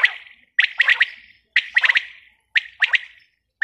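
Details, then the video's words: Repeated calls of a female quail: short phrases of two or three sharp, bright notes, each trailing off, spaced about a second apart. "Batair ki awaz | Bater awaz | Quail sound | batai madi ki awaz"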